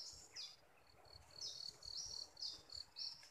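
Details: Decoy bulbul kept for trapping, a fresh catch with a strong voice, gives a run of short, high whistled notes in quick succession, some slurred, over a soft background hiss.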